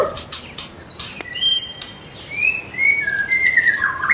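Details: White-rumped shama singing as a training lure for caged birds in the morning: sharp clicks and chips, then a string of short, clear whistles gently rising and falling, quieter than full song.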